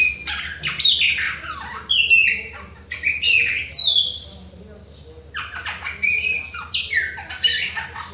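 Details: Song of a Bahia Chopi blackbird that keeps singing at other birds: bursts of loud whistles, downward slurs and harsher squawky notes repeated in quick phrases, with a short lull midway.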